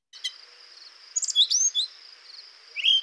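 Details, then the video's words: A Brown Thrasher sings for 40 seconds without repeating itself, short varied phrases of chirps and slurred notes, each different from the last, split by brief pauses of about a second, over a steady high hiss. "you just heard a brown thrasher singing for 40 seconds and in that time the bird never repeated itself"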